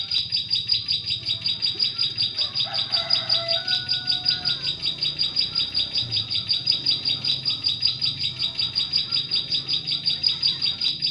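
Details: Bar-winged prinia song played as a lure for catching prinias in forest: a steady run of high, sharp repeated notes, almost three per second, while another bird briefly gives lower whistles in the background.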